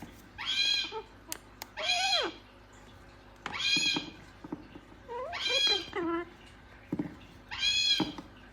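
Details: Talking gang-gang cockatoo giving five short, high, harmonic bursts spaced about every one and a half seconds, some with downward-curving tails, separated by quiet gaps.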